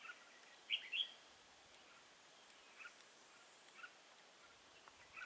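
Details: Trapping session for red-whiskered bulbuls with a decoy at Nuông Dăm, 6 May 2018: one quick pair of clear whistled notes, followed by soft, sparse chirps spaced about a second apart amid low hiss.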